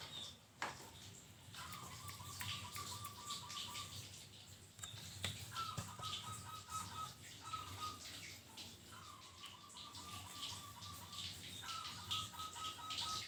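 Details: Local zebra dove used as a tutor recording for training birds: four rolling, beaded coo phrases at a steady mid pitch, each about two seconds long with short pauses between them, over constant background hiss.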